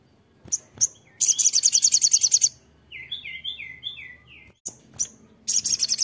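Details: Crimson sunbird singing vigorously and frantically: a very high, thin, rapid buzzy trill of about sixteen notes, then a run of lower slurred descending whistles, several sharp isolated chips, and another fast high trill; quiet background.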